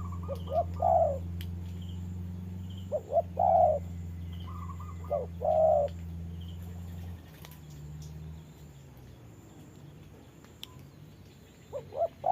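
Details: Spotted dove used as a trapping decoy against a wild bird in rain, uttering scattered short-long coo pairs in the first seven seconds, then mostly quiet apart from a low hum and a faint final note.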